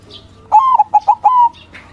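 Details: Loud challenge-style singing of a white local zebra dove intended to make rivals reply: a long coo, three rapid short coos and a final sustained coo, framed by faint high chirps and a low background hum.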